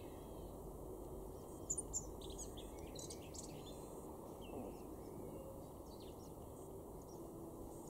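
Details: A male Eurasian blackcap in a garden in Weener, East Frisia, northwest Germany, April 2022, sings a brief, varied phrase of quick warbled and chattering notes, fairly faint over a steady low rumble of wind or distant traffic.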